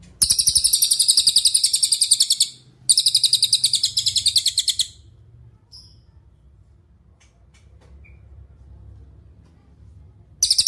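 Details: Cililin trilling for songbird tutoring: two bursts of quick, piercing high notes, each about two seconds with a short break between, then a long quiet stretch and a fresh trill starting at the end.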